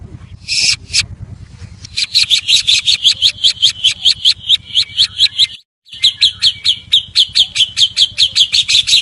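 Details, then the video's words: White-rumped shama lure song to start other shamas singing: a dense, fast chatter of harsh repeated notes, about two and a half per second, with one short pause. "Pancingan 100%Ampuh Murai Batu Gacor"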